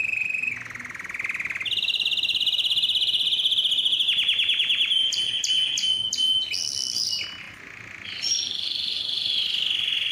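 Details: Yellow canary in extended song, changing between a low rapid trill, a higher even trill, slower falling strokes, short high bursts and a final steady rolling phrase.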